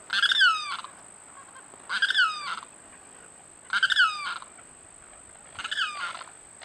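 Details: A Limpkin at Viera Wetlands, Florida, gives four loud, harsh wailing cries, each ending in a downward slur, about every two seconds over a steady high insect drone.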